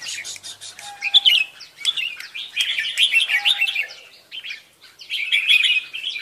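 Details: Red-whiskered bulbul chirping: rapid bright twittering notes in busy bursts, a short pause near the end, then another lively run of chirps, with a faint low whistle heard twice.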